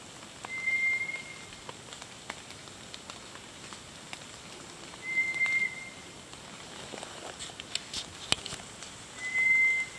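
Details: White's thrush near Mount Kenashi, Shimane, Japan, on 6 June 2022, gives a thin, eerie, level whistle about a second long, repeated every four to five seconds over faint hiss and a few clicks.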